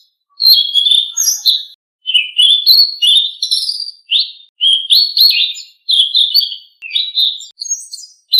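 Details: Blue-winged leafbird used as a singing model for caged birds, giving continuous bursts of high, chattering whistles and slurred notes, each phrase about a second long with short breaks between.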